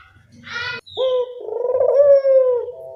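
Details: Barbary dove lure call for attracting birds: a brief rustling burst, then a short note followed by one long, low, throaty rolling coo that rises slightly and trails off.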